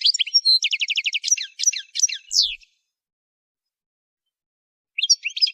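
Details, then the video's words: Goldfinch singing, used for song training: a fast, bright twittering phrase with a steady run of repeated trilled notes, then sharp slurred chirps. A pause follows before another brief twitter begins. "Song Goldfinch Training"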